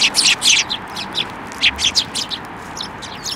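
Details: Several sparrows at a Tenmangu shrine, 28 December 2023, fly onto an outstretched hand for food, giving a dense run of high, scratchy chirps that overlap at first, then thin out into scattered notes.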